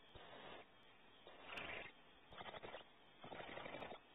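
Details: Barn owl at a nest cavity at Audubon Starr Ranch, California, as the male brings prey to the nest; rough, hissing screech bursts about half a second long, repeated irregularly, with a quiet background.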